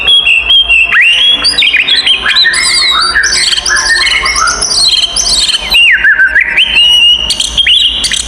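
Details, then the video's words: Oriental magpie-robin fighting song, meant to provoke rival birds: loud, continuous run of varied whistles, rising and falling slurs and rapid chattery notes, with a long sweeping dip near the end; constant and dense throughout. "SUARA BURUNG kacer gacor TARUNG konslet paling AMPUH buat PANCINGAN KACER EMOSI"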